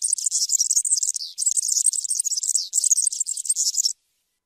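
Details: European serin delivering a continuous, very high, scratchy jingling song with tiny breaks, stopping abruptly near the end and leaving silence.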